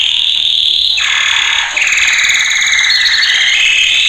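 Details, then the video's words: Male canary training song: a pure sustained high whistle, then after a brief break a long buzzy rolling trill with rising and falling pitch. "Kanarya Eğitim Sesi Erkek / Kanarya Eğitim Ötüşü"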